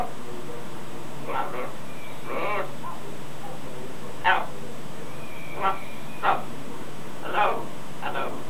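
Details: A pet macaw practising words outdoors and mimicking people's "gaaarrr" noises utters about seven short, hoarse, speech-like bursts at uneven intervals, some rasping and some sharper, over a low steady background hum.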